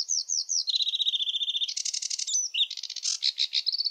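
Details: A sedge warbler sings a rushed, varied sequence: descending whistled notes, a fast steady trill, harsh chattering bursts and short sweeter phrases.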